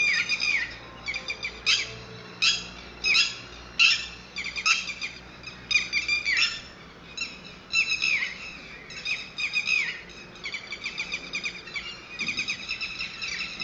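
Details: Red-wattled lapwing (titehari) chicks calling: harsh, broadband squeaky notes given in quick clustered bursts, repeated steadily throughout with brief pauses between groups.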